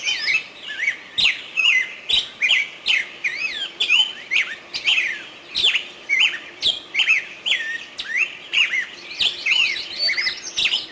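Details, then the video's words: Bulbul voice: a steady stream of loud, varied whistled notes and swooping chirps, broken by frequent sharp clicks and a faint low hum throughout. "Садои булбул"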